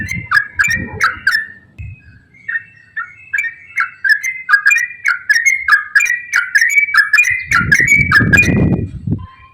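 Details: Rapid 'ropel' song of a yellow-vented bulbul, used to provoke other bulbuls into singing. Chattering, liquid whistled notes come in quick succession, roughly two per second, with a burst of low noise near the end.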